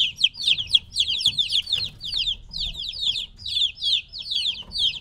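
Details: Noisy three-week-old chicks kept apart from their mother: clusters of piercing, descending peeps come in rapid pulses with short pauses between bursts, low background murmur underneath.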